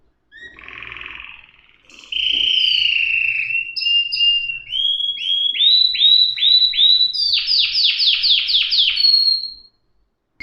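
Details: Canary singing: a long steady whistle, then short rising notes, then a fast series of bright downward-sweeping trills, ending on a high held note.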